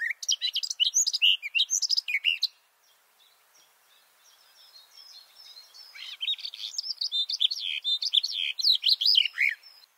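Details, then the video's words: Close recording of a male garden warbler in a bush, microphones two meters beneath him: a fast, mellow, chattering warble, a quiet stretch of soft notes, then a swelling continuous babble of rich phrases. "This garden warbler song (Silvia borin) sounds great!"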